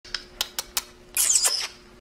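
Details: A pet Senegal parrot makes a sloppy kissing noise: quick, dry smacks, four sharp clicks followed by a brief hissy, smacking burst, indoors with nothing else heard.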